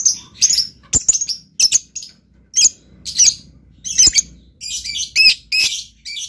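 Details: Loud, shrill lovebird chatter: clustered squeaky chirps and harsh twittering bursts close together, building into denser, rasping phrases toward the end.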